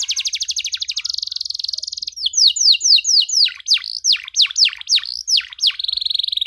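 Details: Canary song offered for young canaries learning to sing, with a long rolling trill and ornate phrasing: a fast buzzy trill, then a run of sharp descending whistled notes and a closing rapid trill.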